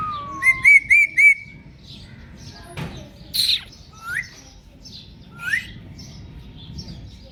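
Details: Indian ringneck parrot facing a mirror: a short descending whistle, a fast quavering trill of four notes, then scattered sharp rising whistles and squeaks against a quiet indoor background.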